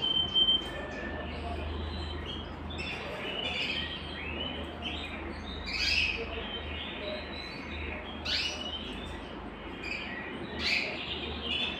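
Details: Belgian canary song used to warm up singers and bring females into breeding condition, a varied run of quick chirps, short trills and sharp upward sweeps in irregular bursts, with a low hum beneath.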